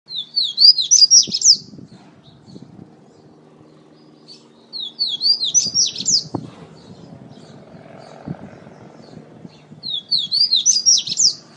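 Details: Double-collared seedeater (coleiro) singing in the pateta style, recorded in Natal, Rio Grande do Norte: three bursts of rapid high warbled, slurred notes, each about a second and a half, separated by pauses over a low background rumble.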